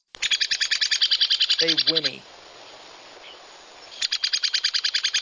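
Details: Ladder-backed Woodpecker in the Texas Hill Country giving long, rapid runs of sharp, high, rattling notes broken by a short pause, its drawn-out whinny call used when disturbed or seeking attention; a man's voice briefly overlaps.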